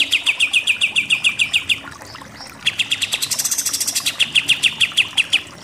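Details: Rapid machine-gun-like note series from a pied triller in nembak-nembak delivery; a steady run of sharp chips, a short gap, then a higher, buzzy stretch followed by more sharp repeated chips.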